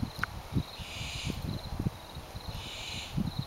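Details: Barn owls calling from nest boxes in a vineyard just west of Healdsburg, Dry Creek Valley, California, on June 8, 2011, give two breathy, hissing screeches about a second and a half apart, over low thumps and a thin high whine.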